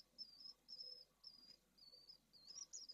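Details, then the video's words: Pallid swift nest in Jerez de la Frontera, Spain, with two chicks just hatched from a second clutch during high temperatures: high, thin, slightly wavering peeps given in quick succession, each about half a second long. "¡ECLOSIÓN DE LA SEGUNDA PUESTA! - Nido 2 Vencejo pálido"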